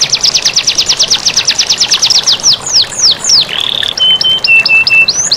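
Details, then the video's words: Canary master song with flowing water, meant to get lazy birds singing: a long fast trill of repeated notes, a few slow downward swoops, a buzzy held tone, then short flat whistles and a final upslur. "Masteran Kenari Jernih + Suara Air Mengalir || Pancingan kenari malas bunyi"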